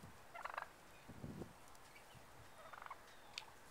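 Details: Wild turkeys gobble in quick, rattling bursts, two rolling gobbles answered by a lower, throaty one, with a faint higher chirp near the end; a tame male wild turkey at a farm, 27 November 2010.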